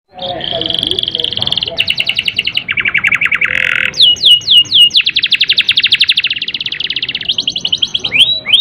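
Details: Canary singing a long rolling song, used to stimulate canaries lacking emotion and breeding urge; rapid trilled tours at changing pitches, buzzy repeated notes, then fast descending sweeps repeated several times per second, filling the clip.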